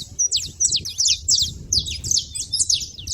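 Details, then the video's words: Saffron finches calling at a feeder, giving rapid bright chips and brief slurred notes packed closely together, with a steady low background hum. "canário da terra fazendo barulho na seva"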